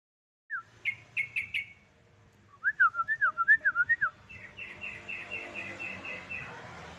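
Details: Yellow-vented bulbul song used as a lure recording to stimulate other birds to sing: a few sharp repeated notes, then a bubbly run of looping whistled notes, followed by a fast even series of clipped notes over low background hum.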